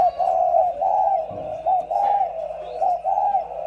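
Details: Two caged decoy spotted doves cooing: low, mellow, rounded coos in a steady series, each phrase a soft hooting roll, with a faint background hum.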